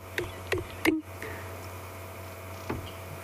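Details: Blacksmith lapwing calling near sunset on June 2 during an African safari evening drive, with lions nearby: four sharp, metallic clipped 'tink' notes at irregular intervals over a steady low engine-like hum.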